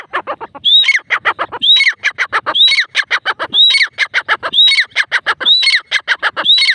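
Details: A pair of grey francolins calling together: loud, harsh, rapid clicking notes run steadily, broken about once a second by a rising whistled note with a falling tail. The cycle repeats without a break through the recording.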